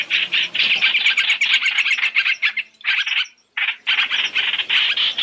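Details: Three-in-one trapping lure of Chinese hwamei: a fast stream of rasping, chattering notes, broken by two brief silent gaps before the scolding chatter resumes.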